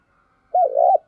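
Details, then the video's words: A single soft, rounded coo from a spotted dove, used as a lure for wild doves. It rises briefly, then holds steady before cutting off, with another note starting at the very end. "Tiếng cu gáy mồi chuẩn để kích bổi hiệu quả nhất"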